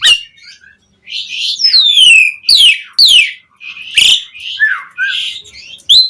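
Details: Asian pied starling song as a lure for other starlings: loud descending whistled slurs and buzzy harsh notes, a few bursts about a second apart with short silent gaps.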